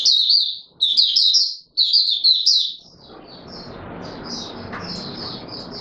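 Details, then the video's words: Caged Oriental white-eye singing in courtship mode: three loud bursts of high, rapid twittering, then quieter, softer high chirps over a steady broadband hiss. "Mata Puteh Raja V2 in courtship mode"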